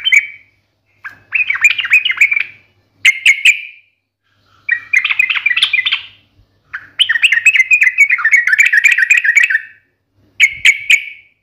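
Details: Yellow-vented bulbul, called trucukan, in vigorous sharp fighting-style song meant to draw answers: repeated bursts of rapid gurgling chatter and clipped chips, with short pauses between phrases.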